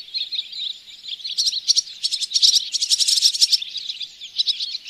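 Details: Barn swallows twittering at Oostvaardersplassen bird hide in September 2016, recorded with a Panasonic Lumix GH4; high chirpy chatter breaking into rapid dry rattles and ticking bursts midway, then softer warbling notes.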